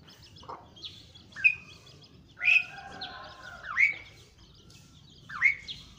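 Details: Asian pied starling giving a series of loud whistled notes, each sliding sharply upward, spaced about a second apart, with fainter chattering notes between them over a low background rumble.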